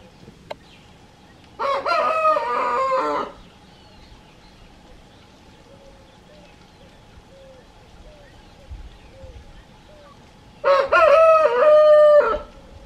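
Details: A rooster on a quiet rural smallholding with animals at pasture gives two loud, harmonic cock-a-doodle-doo crows, each lasting under two seconds.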